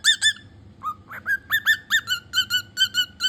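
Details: A cockatiel gives a series of clear whistled notes, each with a short downward slur, repeated roughly three times per second.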